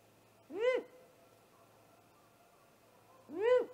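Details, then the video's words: Great horned owl attacking a great gray owl at its nest, recorded by a live nest camera at night on 30 March 2018: two loud rasping, arched screeches about three seconds apart, each rising then falling, over a quiet background. "Great Horned Owl attack on Great Gray Owl"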